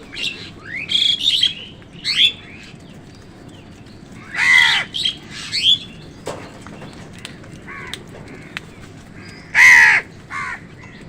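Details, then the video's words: Crows fighting with wild birds for food: a few loud, harsh caws stand out among sharp squawks and rising chirps from other birds, over a steady outdoor hum. "Crow Sound কাকের ডাক"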